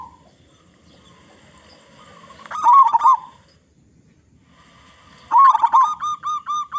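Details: Local zebra dove with a big voice, used as a lure for other zebra doves. After a quiet start, one warbled coo phrase arrives, then another that runs into a regular series of short, ringing coos.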